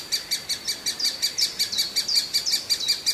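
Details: Shrill, high begging notes from a hungry great spotted woodpecker chick, rapid and fairly steady at nearly three calls a second, some notes slightly drawn out.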